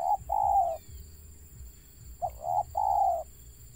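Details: Wild Spotted dove giving its stuttering coo: two phrases, each a short clipped note followed by a longer flat hooting coo, over a low rumbling hum and a steady high whine.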